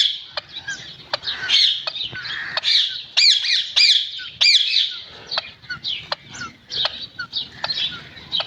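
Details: Green parrot chattering rapidly with high, squeaky, rising whistled notes and a steady run of sharp clicks, loudest in the middle section.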